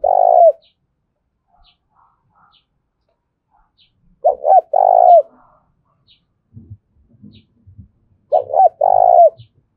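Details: Spotted dove call played to provoke wild and decoy doves into calling: three short cooing phrases about four seconds apart, each a few quick mellow notes ending in a longer rolled coo, with faint low knocks between.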